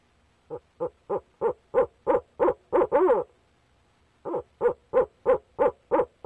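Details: Barred owl male at the nest box calling for his mate, 29 April 2019: a long run of regular hoots about three per second, building in loudness to a drawn-out, quavering hoot, then after a pause another steady series.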